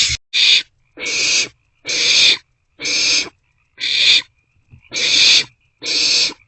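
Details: Barn owlets in a nest box at night, 1:47-2:06 am on 27 March 2024, sharing a meal and passing it back and forth; harsh hissing screeches in seven bursts of about half a second, roughly one per second.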